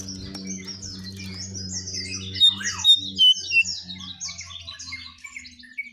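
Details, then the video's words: Striped tit-babbler, called jongkangan locally, in a sought-after lure recording: fast, busy chatter of high buzzy and twittering notes with a few clear whistles, over a steady low electrical hum that fades near the end. "𝙋𝙖𝙣𝙘𝙞𝙣𝙜𝙖𝙣 𝙟𝙤𝙣𝙜𝙠𝙖𝙣𝙜𝙖𝙣 𝙥𝙖𝙡𝙞𝙣𝙜 𝙙𝙞𝙘𝙖𝙧𝙞"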